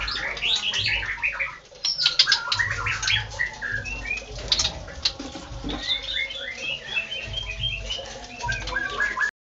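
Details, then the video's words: White-rumped shama in busy song, tumbling whistled notes and rapid chirped phrases at varied pitches, partly masked by steady rushing noise and low rumble. "burung murai gacor"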